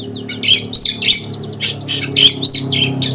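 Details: Caged Oriental magpie-robin singing in the 'konslet' style, said to stir other birds into agitation: harsh, scratchy bursts mixed with sharp whistles, repeated in quick uneven phrases over steady background music.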